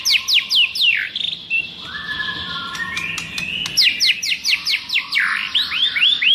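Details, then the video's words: Forest-style song of a white-rumped shama: series of sharp downward-sweeping notes, a soft drawn-out lower whistle in the middle, then more rapid descending strokes and rolling notes at the end. "Luyện choè lửa hót giọng rừng hay, luyện giọng choè lửa hay"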